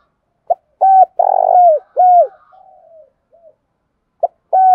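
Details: Low cooing of a spotted dove, repeated: a clipped note, a hollow coo, a long vibrating coo, another falling coo and a soft tail, then the phrase begins again.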